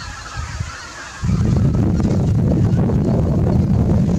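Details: Greater white-fronted geese returning in ones and twos to Miyajimanuma marsh, Japan, early on an autumn 2020 morning after leaving the roost. Quiet at first, then a loud mass of honking and strong low rumble swells in abruptly and continues.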